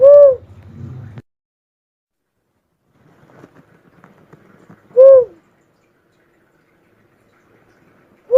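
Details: Cuckoo-dove coos, soft and dome-shaped in pitch, spaced about five seconds apart, with brief low rumbling and faint scattered noises between them.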